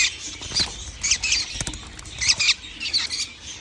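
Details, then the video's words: Baby lovebirds calling, recorded 11 January 2025: dense, scratchy high chattering in quick overlapping bursts, pulsing roughly every half second, with a few soft knocks in the background. "Beautiful baby love birds calling"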